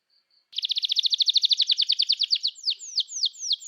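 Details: Canary singing to encourage young or stalled canaries to sing. Two faint soft notes lead into a long fast buzzy trill of evenly repeated short notes, which slows into a few sharply falling whistles near the end.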